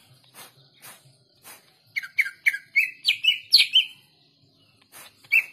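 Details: Soft scattered ticks lead into a quick chattering series of bright whistles from a greater green leafbird, climbing higher and closing with a couple of sharp notes.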